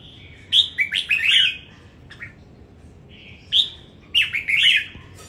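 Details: Red-whiskered bulbul in a singing competition, Đồng Nai, Vietnam: two lively clusters of sweet, slurred, chirping notes separated by a thin sustained whistle and a short quiet gap.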